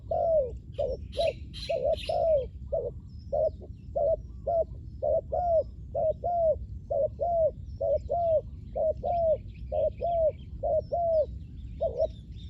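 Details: Spotted dove calling as a decoy for wild doves: a long run of mellow paired coos, each a quick note and a longer downslurred croo, near one per second; a brief burst of high chirping near the start.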